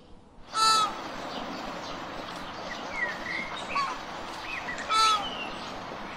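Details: Flamingo giving two loud, nasal, harmonic honks roughly four seconds apart over a quieter murmur of distant flock calls and some softer rising notes.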